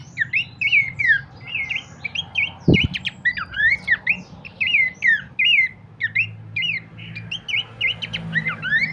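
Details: Lure and master track of Abbott's babbler: lively chattering whistles rising and falling in quick succession, one brief thump near the middle, and a soft low rumble behind.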